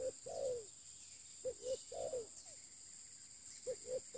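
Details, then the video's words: Spotted dove kept as a decoy, cooing in phrases about every 1.7 seconds: a short double note then a drawn-out descending coo, with a constant high whine behind. "pikat terkukur"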